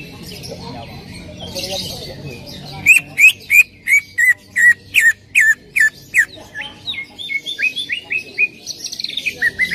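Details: Greater green leafbird song played to prompt another leafbird to sing: a quiet start, then a loud series of short sharp downslurred whistled notes repeated about three per second, later shifting to quicker rising and falling phrases.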